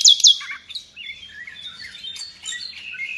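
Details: Nightingale, kept by Indonesian songbird fans as a tutor for pet birds, opens with two loud sharp downward notes, followed by softer warbled slurs and twittering phrases at high pitch; faint low rumble in the background.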